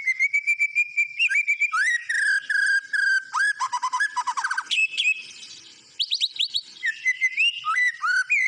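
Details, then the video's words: White-rumped shama sings a steady whistled note, then fast series of downward slurs and trills, sharp upward notes after a brief pause, and closing mellow whistles. "SUARA BURUNG MURAI BATU GACOR"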